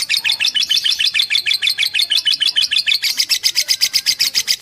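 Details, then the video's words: A master-track fighter lovebird chatters continuously, a rhythmic stream of rapid piercing chirps, with a thinner, more whistled tone in the later notes. "MASTERAN Love bird"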